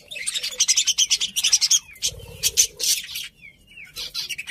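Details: Budgies chirping rapidly: fast runs of sharp, bright chirps in quick succession, a few slurred whistles between bursts, and a soft low buzz in the middle.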